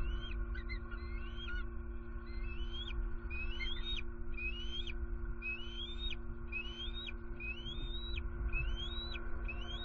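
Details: Wild bald eagle pair and juvenile at a Southwest Florida nest at night, 23 September 2020, calling on high alert, maybe at an owl; evenly spaced rising whistles with sharp endings, about one per second for ten seconds, steady hum behind.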